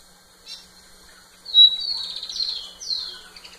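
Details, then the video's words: Rufous-collared sparrow singing to a female, a softer phrase of a sharp level whistle followed by buzzy, falling slurred notes. "Tico tico cantando muito na cara da fêmea"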